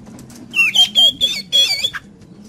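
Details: Energetic song from a caged Oriental magpie-robin, played to coax a kept bird into singing: a brief run of bright whistled notes with scratchy overtones and quick downward slurs, followed by quiet.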